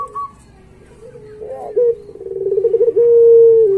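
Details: Puter pelung Barbary dove, recorded as training material for pet doves, gives soft low coos, then a pulsing rolling phrase that grows louder and ends in a long, even, sustained coo.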